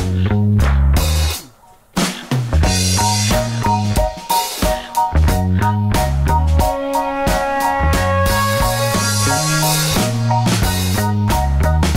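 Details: Loud music with a driving drum kit, deep bass and bright plucked notes fills the whole stretch; no animal calls come through.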